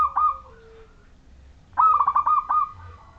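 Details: Local Majapahit-type zebra dove singing steadily, used to lure other zebra doves into song: a short, faint coo, then a clear, rolling phrase of quick, bubbling coos on one mid pitch, with a soft low hum beneath.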